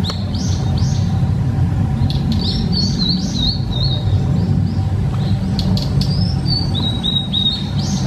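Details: Female blue-and-white flycatcher singing, two runs of high, slurred whistled notes, each phrase over a second long, over a steady low rumble of wind or distant traffic.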